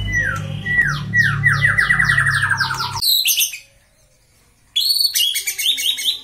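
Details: White-rumped shama, a kept bird, singing in a session meant to raise its anger and train its fighting spirit: fast series of downslurred whistles repeated rapidly for three seconds over a low hum, a pause, then bright chattering notes.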